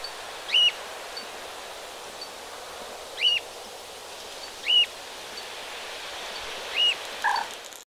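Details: A free-flying Alexandrine parakeet in the Vilaine estuary, Morbihan, Brittany, on 17 November 2021, gives four short, harsh, high squawks about two seconds apart, with a steady hiss underneath.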